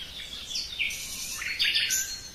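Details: Brief burst of common nightingale song in a forest: quick swooping whistles that slide down and then jump up, tumbling into a jumble of bright notes.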